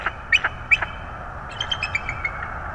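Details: Bald eagles at a nest in Florida with chicks, 25 January 2022, as a second chick hatches: a few sharp squeaky chirps, then a quicker run of thin repeated squeals over steady background hiss.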